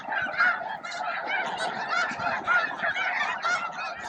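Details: Around noon at Bosque del Apache, thousands of snow geese feed, groom and face off for space near the flight deck, mixed with a few Ross's geese and blue morphs. They honk in a dense, overlapping chorus of nasal barking calls without pause.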